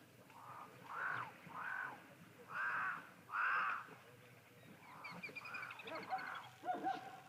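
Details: Cape crows calling live on 31 March 2023, a voice described as quite ominous: a run of about eight hoarse, nasal caws, some louder than others, then fainter chattering notes from other birds at the end.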